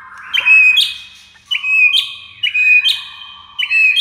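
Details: Shama (murai batu) masteran for coaxing a silent bird to sing: a ringing whistled phrase with a sharp high click, repeated four times at roughly one-second intervals.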